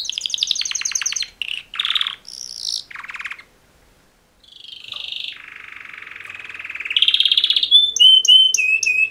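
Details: Two male canaries in mating song: choppy trill fragments, a short pause, then a long buzzy low rattle rising into fast high chirps.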